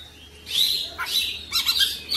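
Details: Oriental magpie-robin giving short bursts of bright, scratchy whistled notes over a faint low hum.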